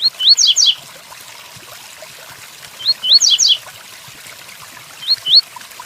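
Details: Tui Tuí Fibra song of a double-collared seedeater with rain in the background: paired rising whistled notes, then fast downward buzzy trills. Three phrases are spaced roughly two to three seconds apart over a continuous patter of rain.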